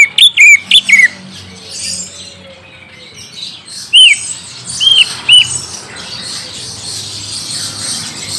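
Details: Young wild-caught green leafbird lure with a few sharp, arched whistled notes at the start, then three spaced ringing slurs after a pause, over quiet background noise.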